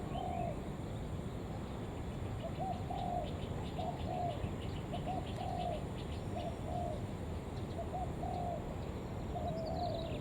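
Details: Lure spotted dove of the 'Đồng Vấp' style calling urgently to attract other doves, a run of low, mellow coo phrases spaced about a second apart, with faint high chirps and insect-like ticking above a steady low hum.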